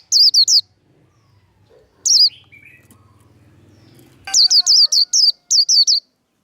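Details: Japanese white-eye giving the 'líu đấu' fighting song, used to fire up other white-eyes: three quick high slurred chirps, a pause, one lone note, then a rapid run of about nine sharp high notes over a faint low murmur.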